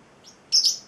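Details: Young male Celestial parrotlet, eight weeks old, gives a faint thin note and then one sharp, loud, very high chirp lasting under half a second, in an otherwise quiet room.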